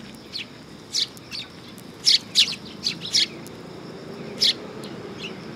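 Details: A group of sparrows arriving at a perch platform by a Tenmangu shrine, recorded 3 September 2022; uneven high chirps, some doubled, over a soft background hiss.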